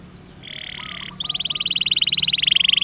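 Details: Canary roll for coaxing reluctant canaries to sing: a brief buzzy steady trill, a short break, then a long, even, fast rolling trill at one pitch, with a faint low hum beneath.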